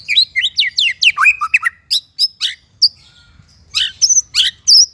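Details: White-rumped shama used for training songbirds, singing a choppy sequence of short sharp chirps and falling whistles, some notes doubled, with brief gaps and a final cluster of high bright notes.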